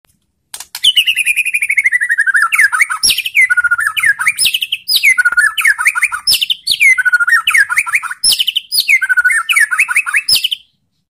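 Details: White-rumped shama song used to provoke other shamas into answering: loud, rich phrases of sweeping whistles with sharp high clicks and descending slurred notes, delivered in several continuous bursts.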